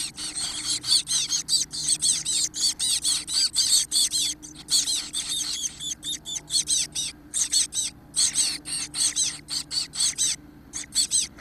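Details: Chestnut-backed chickadee chicks, 17 days old and four to five days from fledging, preening and being fed; high, hissy, squeaky begging notes pour out in rapid overlapping bursts almost without pause, with a low steady hum beneath.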